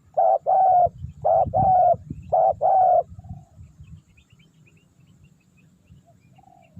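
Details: Spotted dove calling during the luring of wild doves; three pairs of low, hoarse coos within three seconds, each pair a short note then a longer rolling one, followed by quiet with a faint low rumble.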